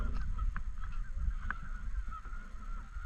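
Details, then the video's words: Canada geese in and around a park lake, several clear separate honks in the first second and a half, then softer distant calls under a steady low rumble. "Canadian Geese Honking In And Around The Lake"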